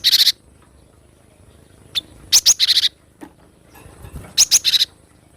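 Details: Cinereous tit (glatik batu) in the wild, used as tutor song: repeated bouts of harsh buzzy chatter and sharp high upslurred notes, roughly every two seconds, separated by quiet gaps with a faint single chip.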